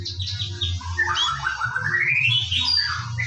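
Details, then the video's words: Morning lure song of a white-rumped shama (murai batu): brief high whistles, then a long smooth whistle sweeping gradually upward, blurred by a constant low droning hum. "PANCINGAN BURUNG MURAI BATU DIPAGI HARI AGAR GACOR"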